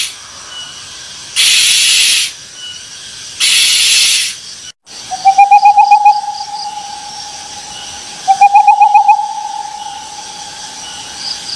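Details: Owl giving two calls, each a stuttering trill that settles into a long, steady whistled note, after several bursts of loud hissing noise; insects buzz in the background.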